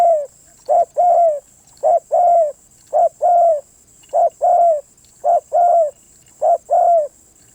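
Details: Spotted dove producing an even series of paired coos, a brief note then a longer soft falling note, about one pair each second for several seconds, over a steady faint high whine.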